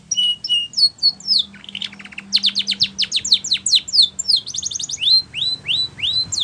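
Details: Spanish Timbrado canary singing for training: short whistled pairs, a lower metallic rattle, then long runs of fast falling chips and swooping upward-curving whistles repeated several times.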